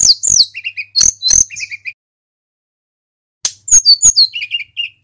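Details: Sunda robin singing in full voice, used to trigger other caged birds to sing: two bursts of chirps and high swooping whistles, each ending in a short run of lower repeated notes, separated by a silent pause.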